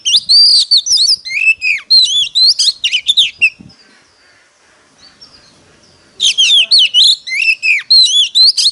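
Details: Competitive singing from a decoy Oriental magpie-robin calling in wild birds: a dense, loud stream of swooping whistles and rattling trills, then a near-silent gap with faint high notes, then another energetic burst.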